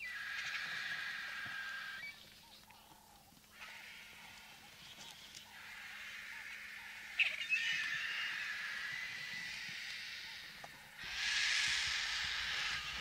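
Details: A crowd of White-backed Vultures and a Lappet-faced Vulture feed at a bull elephant carcass near a road in the African bush. Bursts of hoarse, hissing cackles come in waves, with quieter gaps and a loud harsh surge near the end.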